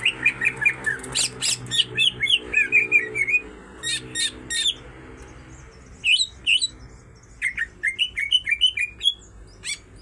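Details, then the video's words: A pair of greater green leafbirds sing a fast, varied run of high chirps, whistles and slurred notes, overlapping in bursts with brief pauses between phrases. "sepasang cucak ijo sama gacornya"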